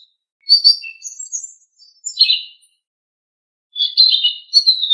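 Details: Blue-winged leafbird training song for cage birds: scattered bursts of sweet twittering notes separated by a silent pause, ending in a longer warbled run, with a clean, quiet background.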